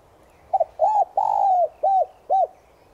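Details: Spotted dove (Streptopelia chinensis tigrina), a lure bird cooing in the morning in the Giọng Son voice style: a quick doubled note, an arched coo, a long drawn descending coo, then two short arched coos, mellow and low.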